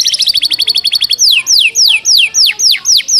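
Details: Canary performing a Java sparrow-tutored song at speed: a quick run of short stuttering notes, then loud downward-sliding whistles repeated about every third of a second.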